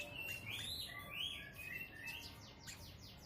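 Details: Kept brown-throated sunbird singing: a quick, thin twittering warble of high slurred and rising notes, then a burst of fast descending chips near the end, over a soft background hiss.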